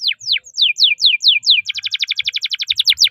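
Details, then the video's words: Canary in full song, a tutoring model for young birds: six loud descending whistled swoops, then a fast roll of about twenty crisp notes repeated at an even pace, with faint low knocks. "Suara KENARI GACOR, Untuk Masteran Dan Pancingan KENARI JUARA"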